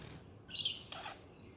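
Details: Two quick budgie sounds in close succession: a bright, scratchy chirp, then a shorter, rougher buzzy note, each lasting a fraction of a second, in near silence.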